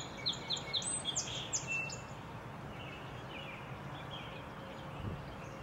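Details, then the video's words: A Song Sparrow on a cloudy April morning in Minnesota sings three or four bright introductory notes, then a jumble of quick, buzzy trills over a low, steady outdoor rumble; a White-throated Sparrow is in the background. "Song Sparrow"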